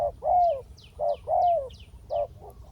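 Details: Decoy spotted dove on the ground luring a wild bird down: a brief coo then a long descending coo, heard twice and starting a third time, with thin high bird chirps in the background.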